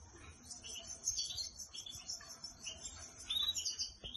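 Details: Home-trained canary singing while on a person's hand indoors; high thin twittering and short whistled phrases in bursts, fairly quiet, with brief gaps between them.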